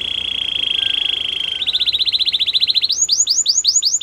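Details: Belgian canary song: a steady buzzy roll held for about a second and a half, then a quicker trill of repeated notes, breaking into loud arched chirps about four per second.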